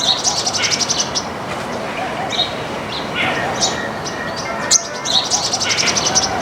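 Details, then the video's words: A flock of Baya weavers feeding on grains in a backyard gives dense, high chirps and short tweets, overlapping throughout, with steady background noise. "Baya weavers sound"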